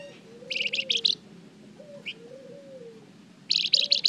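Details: Flamboyan lure song meant to prompt other birds to answer: two fast bursts of high, pulsed chattering notes separated by a single short chirp, with a gentle rising-and-falling background tone repeating.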